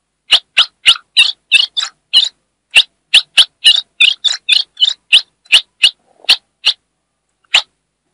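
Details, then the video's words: Female ultramarine grosbeak calling to stimulate a male, northeastern Brazil: rapid chips and buzzy chattering notes in quick succession, thinning to spaced single chips near the end. "Essa FÊMEA vai deixar seu AZULÃO LOUCO│ESQUENTE SEU AZULÃO! MELHOR CHIADO DE FÊMEA DO NORDESTE"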